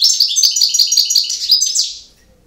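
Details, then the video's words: European goldfinch singing in the campero style: a dense, rapid twittering of bright, buzzy high notes that runs unbroken for about two seconds, then fades out into silence. "El Jilguero BiH 18"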